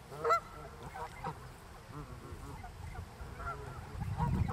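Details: Canada goose x greylag goose hybrid filmed in summer 2020 by lake Mälaren in the Greater Stockholm area, where four hybrid goslings grow up. A few scattered nasal honks, one louder near the start, over low rumble.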